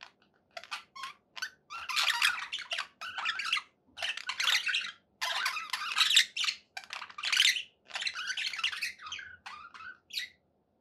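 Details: Budgerigars described as happy, kept as pets indoors, chattering in dense bursts of harsh, buzzy warbles and squeaky chirps, broken by short pauses through the whole stretch.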